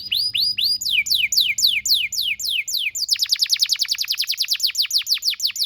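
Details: Song of a domestic canary used as tutor material for juveniles: arched whistled notes at a moderate pace, then a sudden switch to sharp descending notes repeated about six times a second.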